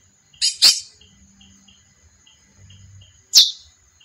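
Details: Female chestnut-bellied seed finch giving three sharp, high chirps: two close together near the start and one more about three seconds later. A faint steady high tone and soft regular ticking run underneath.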